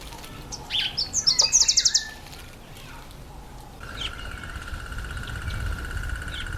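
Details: Breeding-season red bishop, a territorial male nesting in reeds over water. About eight rapid, bright buzzy pulses come in a sizzling burst after a few chirps, followed by a steady, pulsing insect-like drone.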